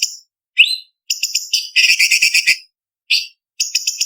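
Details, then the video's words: Leafbird (cucak cungkok) tutor song for training contest birds, a sharp 'isian kasaran pedas' style with 'tembakan' bursts: high rising whistles, short clipped notes and a dense buzzy rattle mid-phrase, separated by brief silences. "Masteran Cucak Cungkok Istimewa ~Isian Kasaran Pedas Variasi ~ Tembakan Masteran Burung Lomba"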